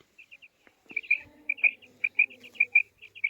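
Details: Female quail calling: a run of short, clipped chirping notes, sparse at first, then quicker and louder in uneven pairs and triplets, with faint low rustling beneath.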